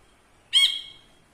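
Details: A single short, harsh, nasal squawk from a caged ashy bulbul tutor bird, dropping and fading into a thin buzzy tail, set against a quiet room.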